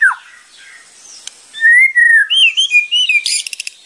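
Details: White-rumped shama (murai batu) training song: soft faint notes, then loud clear, wavering whistled phrases, ending in a short dry rattle.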